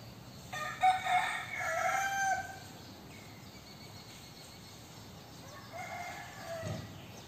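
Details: Young rooster crowing: one full crow near the start, then quieter background noise, and a fainter, more distant crow near the end.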